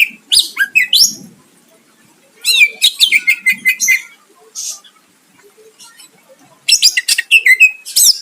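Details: Singing greater green leafbird aimed at drawing a rival's reply, delivering dense bursts of sharp chips and descending slurred whistles, separated by short quiet gaps, with faint low rumbling at the start.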